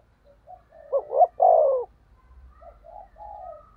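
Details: Decoy spotted dove cooing to entice wild doves. Quiet soft coos build into a clear phrase of two short notes and a long falling coo, followed by fainter answering coos and a low rumble in the background.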